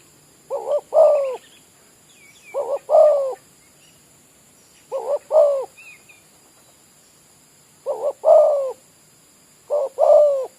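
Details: Village-kept spotted dove used to lure wild doves at an oil palm plantation in Malaysia, calling five evenly spaced coo phrases, each a paired short note and a longer falling coo, with occasional faint chirps.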